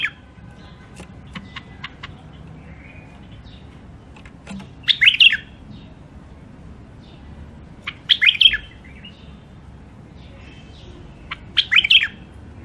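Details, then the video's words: Caged songbird, wild-caught, from Mandali, offered for sale. It sings three short high-pitched twittering phrases spaced about three seconds apart, each a quick tumble of sharp rising and falling notes, with faint clicks between and a low steady hum. "تغريد مخاليف وحشيه"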